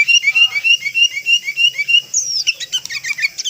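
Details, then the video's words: Sooty-headed bulbul call used as a lure for catching birds: a run of short, clear, rising whistled notes about four per second, then a burst of sharper chirps and twitters near the end. "SUARA PIKAT BURUNG KUTILANG AMPUH 100 PERSEN"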